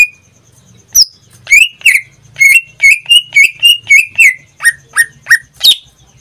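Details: Greater green leafbird kept as a pet in Indonesia, singing a steady series of clear whistled notes around the same pitch, about three or four per second, after a lone opening whistle.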